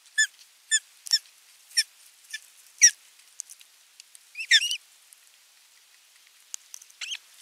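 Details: Osprey bringing a fish to the nest and following the feeding, 27 June 2022: a run of short, piercing, whistled chirps roughly every half second, then a fuller squealing burst and softer scattered notes.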